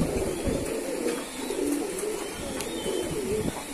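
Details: Kept pigeons cooing: low, throaty, rolling coos overlap across the clip, with a steady hiss and scattered clicks in the background.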